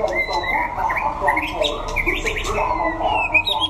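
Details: White-rumped shama at a singing contest in Đắk Lắk, Vietnam, delivering mellow gliding whistles and short twittering bursts amid steady background talk.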